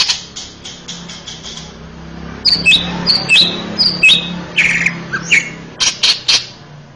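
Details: Male greater green leafbird, recorded as a master song to train young birds: faint rapid clicks at first, then loud high whistled slurs and buzzy notes alternating, with a low hum throughout.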